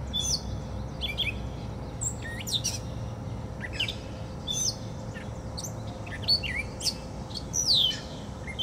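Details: Gray catbird (Dumetella carolinensis) singing in Portage, Michigan: a halting jumble of squeaky, scratchy and whistled phrases, each different, over a steady low background hum.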